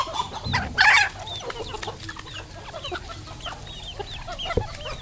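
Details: A domestic-line red junglefowl kept for sale gives one short, harsh, clucking call early on, then a busy background of faint chirps and ticks continues, with a soft thump near the end.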